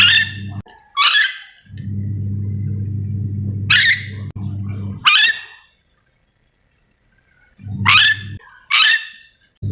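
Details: Yellow-and-green lorikeet of Sulawesi uttering harsh rasping shrieks, some paired in quick succession, spread across about ten seconds with a low humming background that stops partway.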